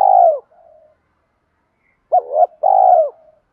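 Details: Spotted dove of the 'đồng pha' voice style calling wild doves in. A long mellow descending coo, a soft trailing note, a pause, then a paired coo followed by another drawn-out falling coo.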